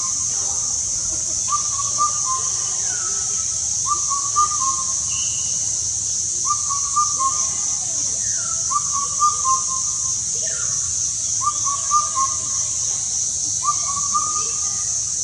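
An Indian cuckoo repeats its mellow four-note whistled phrase about every two and a half seconds, over a steady high-pitched insect drone.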